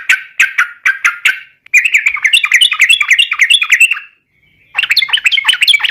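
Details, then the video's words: Yellow-vented bulbul song used as a lure to get other birds singing: short bubbly phrases repeated about every third of a second, then a longer run of chattering warbled notes, a brief pause and more rapid notes. "SUARA trucukan gacor garuda pancingan trucukan agar cepat gacor"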